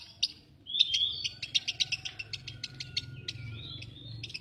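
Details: Lovebird giving a squeaky whistle followed by a rapid series of sharp, high clicking notes. The series ends in a thin, rising buzzy squeal, with low background hum throughout.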